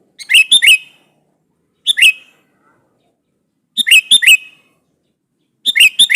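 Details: A vigorously singing sooty-headed bulbul challenges a rival with four phrases of quick, liquid whistled notes. One phrase is short and the rest hold three or four notes, spaced about two seconds apart.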